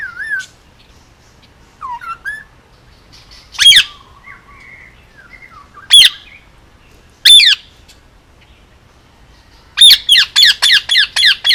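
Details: Male Indian ringneck parakeet, almost 2 years old, hand-raised pet on Oahu, Hawaii, gives soft warbling chatter, then three loud harsh squawks a second or two apart, ending in a quick run of about seven shrill squawks.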